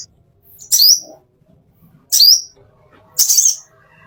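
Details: Plain-throated sunbird, a master recording for training caged birds: three sharp, very high chirps, each a quick upward-sweeping note, spaced about 1.2 seconds apart over near silence.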